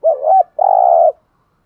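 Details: Spotted dove decoy cooing in the 'thúc gù' style, played to lure wild doves: a low hooting two-part coo that dips and rises, then a short gap and a long steady coo. Clean, with no other sounds.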